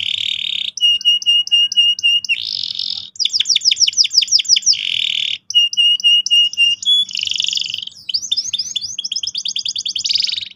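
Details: Canary in full, loud song, a young bird being trained, mixing buzzy rattling rolls, evenly spaced clear piping notes in pairs, rapid sweeping trills and bursts of high chattering, phrases shifting every second or two with barely any pause; faint low hum behind.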